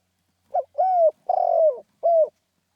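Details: One full phrase of spotted dove 'khan yon' cooing, rousing in style. A low, soft introductory note leads into a steady coo, then a rough, vibrating falling coo, ending with a short clean coo. Silent background.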